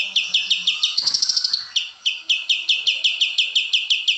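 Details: Rhythmic white-eye chipping, about three notes a second, high and clear, interrupted by a quick buzzy trill near the start; from a tutor recording for caged songbirds, with faint background murmur.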